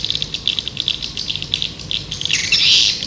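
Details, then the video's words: Lure sound of the white-nest swiftlet, used to call swiftlets in: a steady run of short, high twittering chirps, ending in a louder buzzy, hissing chatter. "Suara Panggil burung walet"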